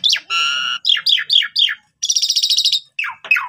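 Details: Asian pied starling song used to train young starlings: a sharp note, a held harmonic squawk, four repeated downslurred whistles, a long pulsing buzzy rattle and two final slurred notes.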